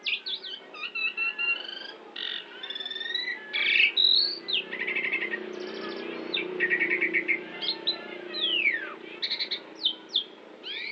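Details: Asian pied myna from Central Java in full voice, its song stuffed with imitations of shama, orange-headed thrush, canary, prinia and Bali myna: a long, varied run of whistles, rapid trills, buzzy rattles and sweeping descending notes with almost no pauses.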